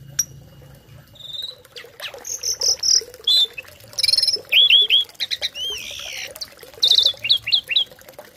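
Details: Tame Asian pied starling singing a mimicry-filled song used as tutor song for other birds: high whistled notes, quick rising-falling slurs repeated in threes, and buzzy trills in varied bursts, with soft background hum.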